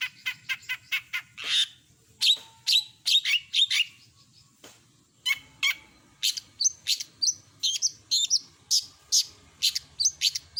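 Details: Long-tailed shrike (cendet) in active song with a full repertoire of mimicked calls: rapid runs of sharp high chips and buzzy notes, then clustered whistled bursts after a short pause, steady throughout.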